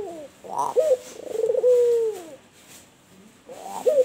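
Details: Albino puter dove, a white turtle dove, in the kuwor bekur cooing style: a short rising note, then a rolling burr that leads into a long, smooth descending coo. Another short coo begins near the end.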